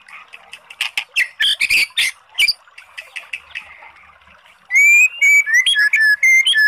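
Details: White-rumped shama song played to rouse a sluggish bird into answering: scratchy, churring notes at first, then loud clear whistles slurring up and down in quick succession.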